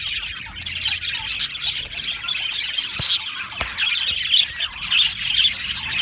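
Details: Happy budgie colony in an aviary: steady mass of chirps and warbles with occasional harsher squawks and two brief clicks, the chattering never pausing.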